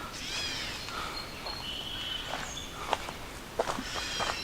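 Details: A Gray Catbird calls in the background on a woodland trail near Blue Marsh Lake after overnight thunderstorms, nasal, slurred, cat-like notes with thin whistled notes, as footsteps crunch along the trail.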